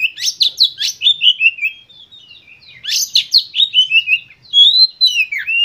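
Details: Energetic white-rumped shama song meant to provoke other birds to sing: fast cascading whistles and sharp slurred notes in two dense bursts, then a clear rising-falling whistle.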